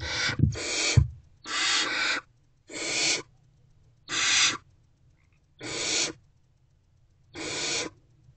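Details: Waiting for their mother at 6:00 pm on 3 March 2024, hungry barn owl owlets in a nest box repeat rough hissing screeches, seven bursts that start close together then spread out, with a couple of soft thumps.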